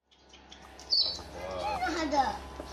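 African grey parrot giving a brief high whistle, then a run of warbling, speech-like mid-pitched phrases over a low steady hum.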